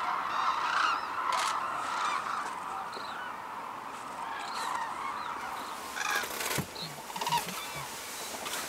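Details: Large gathering of Hooded and White-naped Cranes at Arasaki Crane Center, Kyushu, Japan, amid snow; continuous chorus of honking, trumpet-like calls, some nearer birds standing out with sharp rising notes over the crowd.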